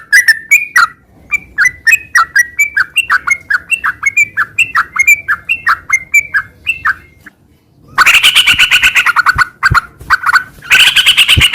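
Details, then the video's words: Sooty-headed bulbul in lively garuda sambung ngeropel song: a chain of short bouncing chirps, roughly three per second, then after a pause a louder, harsher run of dense buzzy notes. "Suara kicau burung trucukan gacor garuda sambung ngeropel"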